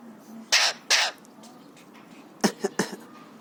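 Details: Three-year-old pet Alexandrine parakeet, happy and excited, mimicking coughs, whistles and screams: two loud, rough cough-like bursts, then three shorter, clipped harsh notes.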